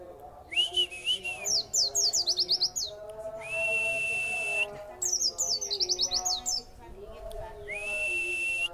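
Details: Caged white-eye in Indonesia, given extra food and then made to sing, showing its 'wit wit' song material. Long, steady whistled tones alternate with fast bursts of high, sharp, rising chirps, about eight in each burst. The pattern repeats twice.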